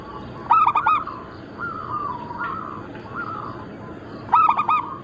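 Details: Local Bangkok-cross zebra doves from a lure and training recording. A loud clipped coo phrase opens and closes the passage, with gentler drawn-out wavering coos from other birds between them.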